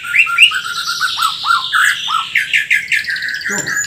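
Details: White-rumped shama from Borneo singing energetically with a full repertoire of imitated phrases: dense run of whistled, slurred notes and rapid chattering trills, ending in a burst of harsh buzzy notes.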